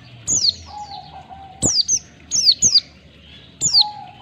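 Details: Ngalas-style song of an oriental white-eye, 1-2 ketukan pattern, used as training for caged birds: clear downward-sweeping high notes, single or paired, about every second, over a low level whistle.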